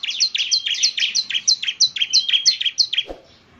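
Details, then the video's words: Bar-winged prinia singing energetically, giving a rapid string of high, clipped downslurred notes, roughly three per second, ending abruptly followed by a soft low thump. "ciblek semi gacor"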